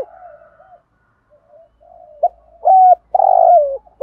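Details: Spotted dove giving a 'thúc gù' coo in the 'Thổ' voice style, used as a decoy for bird trapping: soft low coos build into loud, bent, hollow notes, the longest one swelling then falling away, in otherwise quiet surroundings.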